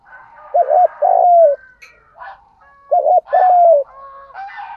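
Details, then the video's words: Lure-call coos of a spotted dove in the 'thúc gù' style: two bursts, each of short double hoots followed by a long falling coo, with soft whistles and chirps of other birds between them. "tiếng chim cu gáy kích bổi. giọng thúc gù"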